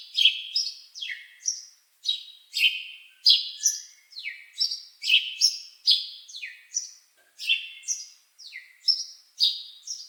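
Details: A rapid, even series of high bird chirps, each a crisp note sliding downward, continuing without break through the whole recording in clean surroundings.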